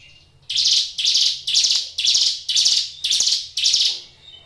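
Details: Kept prinia (ciblek gunung) singing vigorously: seven loud, harsh buzzy notes in a steady series, about two per second, each a short rasping burst starting abruptly and fading. A quiet low hum runs underneath.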